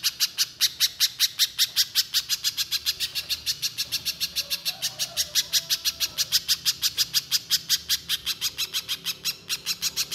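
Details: Long unbroken burst of little spiderhunter song, energetic gacor style: a very fast, even stream of high, dry chip notes, around five per second for ten seconds.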